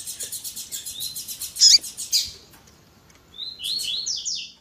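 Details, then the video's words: Double-collared seedeater, tui tui zel zel song with female call, edited to excite males: fast high buzzy trill and a loud chip, a short pause, then a phrase of rising slurred notes. "COLEIRO TUI TUI ZEL ZEL COM PIADO E CHAMANDO DE FÊMEA MUITO QUENTE CHAMANDO E MACHEANDO MUITO."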